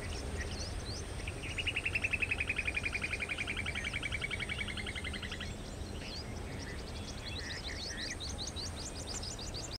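A fast, even trill of clipped notes, slowly falling in pitch, runs for about four seconds, among scattered high chirps from other birds and a low rumble.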